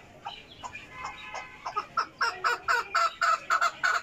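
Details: Chukar calling: a series of harsh, repeated notes that quicken and grow louder, about four per second, building into a steady rhythmic run.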